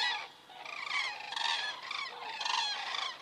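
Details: Common cranes flying over in Estonia, 27 September 2017 at 19:26, from a crane camera; loud, close rolling trumpet calls arrive in bursts about every half second, overlapping one another.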